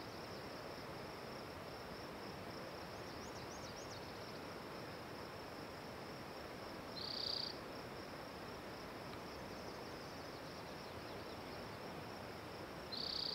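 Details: Singing spotted towhee gives a quick buzzy trill, then another about six seconds later cut off at the end; faint wavy whistles appear early, over a steady thin high drone and background hiss.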